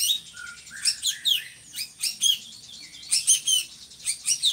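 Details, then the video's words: Singing drongo, a tutor bird for other songbirds: a low whistled note, then clusters of bright, high chirps and slurred whistles, ending with a squeaky chattering phrase. "SRIGUNTING GACORRR"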